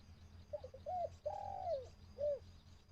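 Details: Caged decoy dove used for bird trapping, calling to wild birds: a short series of clear coos, a brief stuttered note, then a long drawn-out falling coo and a final short rounded coo, over a low steady hum.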